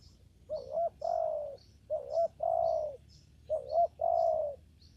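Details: Spotted dove in a papaya garden during trapping with a lure, giving low cooing phrases: two short quick coos followed by a longer drawn-out coo, repeated about every one and a half seconds, with faint high chirps from other birds.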